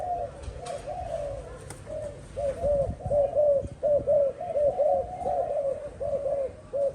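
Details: Kept spotted dove delivering low mellow coos in an uneven series, quieter at first and then louder arched double notes, with faint thuds and small background noises.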